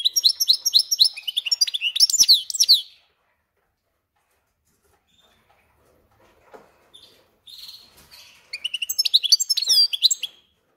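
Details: Hybrid of goldfinch and canary sings rapid tinkling, twittering phrases, stops for several seconds of near silence with faint rustling, then resumes with another bright, quick burst of chirps and trills.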